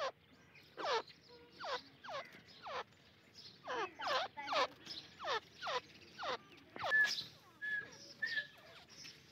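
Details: During a partridge fight, a regular string of downward-sweeping calls repeats roughly every half second to second, ending with a brief louder whistled note.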